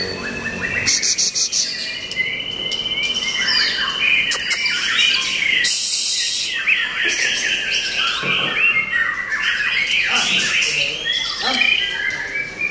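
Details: Long, dense song of a white-rumped shama, fast tumbling whistled notes and trills rising and falling, with scattered loud clicks and one sudden harsh burst midway.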